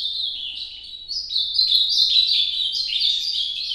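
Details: Ultramarine grosbeak singing in the Nordeste song style: a continuous run of warbled, slurred whistles stepping up and down in pitch, with no pauses and a faint low hum beneath.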